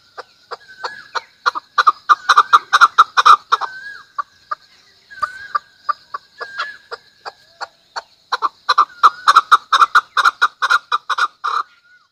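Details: Chukar giving rapid, dry clucking notes in two long bursts of about two per second, each note sharp and evenly pitched, the series pausing briefly mid-way before resuming with renewed intensity; a faint steady higher tone lies beneath.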